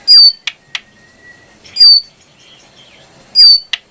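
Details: Three strident high chips from a brown prinia within four seconds, interleaved with short clicks and a soft thin whistled tone between them.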